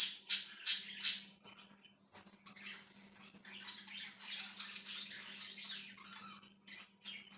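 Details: Budgerigar chirping, recorded on 1/6/2023: three sharp, high chirps in quick succession open, then softer, scratchy warbling chatter runs on quietly beneath a faint steady electrical hum.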